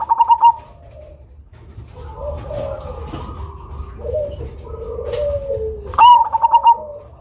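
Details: Cemani zebra dove, loud and kept for luring, gives a pulsed coo at the start and another near the end, with a stretch of softer, lower cooing from other doves in between.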